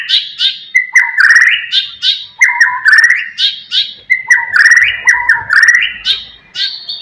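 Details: White-rumped shama song meant to provoke rival birds: rich rising whistled phrases with buzzy trills, repeated in similar patterns about every one and a half seconds.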